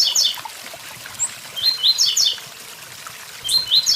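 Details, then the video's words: Near a waterfall, a blue-black grassquit gives brief high buzzy note clusters, 'tui tui zel zel', separated by pauses, over a continuous hiss of falling water. "Tiziu tui tui zel zel com som de cachoeira"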